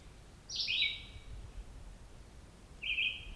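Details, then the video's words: A single Red-eyed Vireo singing on a morning hike along the Otter Lake Side Trail, Cape Chin North, Bruce Peninsula: two short, separate high phrases, the first a slurred downward note, the second a flat whistle, with a low background rumble. "is a nice recording of just one red-eyed vireo."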